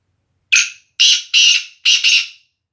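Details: A Sindhi nasal kala teetar call from a male black francolin kept for training: one rasping squawk, then three longer harsh bursts, the final one doubled, all within two seconds on a silent background.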